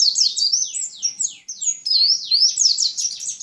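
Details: Continuous sweet, high twittering from a white-eye of Lumajang, overlapping downslurred whistles strung together rapidly with only a brief break midway.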